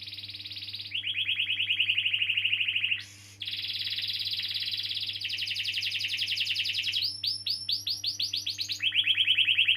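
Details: Canary delivering long rolling song, played as a lure for young canaries or ones that have stopped singing; fast trilled tours shift between high and lower pitches, with a brief break near three seconds, over a steady low electrical hum.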